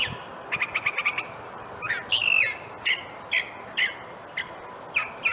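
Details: Wild California thrasher in Monrovia's Hillside Wilderness Preserve, California, its mockingbird-like song heard on a hike: a rapid burst of clicks, then a string of varied slurred, scratchy phrases spaced about half a second apart.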